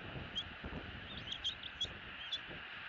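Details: Bald eagle eaglets begging while their father feeds them at a Southwest Florida nest, evening of 3 February 2018. About five short, high-pitched chirps spaced roughly half a second apart, with wind noise behind.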